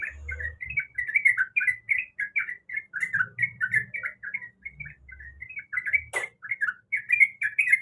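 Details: Female sooty-headed bulbul, in breeding condition, calling to the male with a steady stream of short bubbly whistled notes; low thumps and a sharp click are heard in the background.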